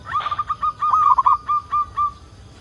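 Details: Local zebra dove calling as a lure so other zebra doves begin singing: a string of soft coos with a quick trilled cluster in the middle, then evenly spaced notes fading out.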